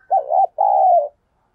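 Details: {'caption': 'A single coo phrase from a decoy spotted dove goading wild doves to fight: a short wavering note, a brief gap, then a longer steady low coo falling slightly at the end.'}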